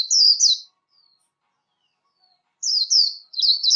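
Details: Warbling white-eye competition song, recorded without background noise for voice training: two bursts of rapid, very high, thin twittering with quick slurred notes, separated by about two seconds of silence.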